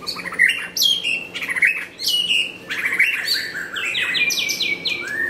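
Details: White-rumped shama from Nakhon Pathom, Thailand, singing a lively series of clear whistled phrases. Some phrases slur downward and some step upward, and the song ends with a run of short repeated high notes.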